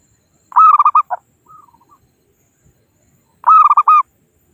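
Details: Wild local zebra dove call used to lure and trap birds by calling rivals: a rapid run of cooing notes ending in a held note, then faint descending coos, then the phrase repeats about three seconds later.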